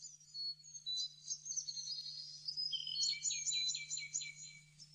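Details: Blue-necked tanager in Bogor giving thin, very high chips and tinkling notes, then a quick run of sharp notes dropping slightly in pitch, over a steady low hum.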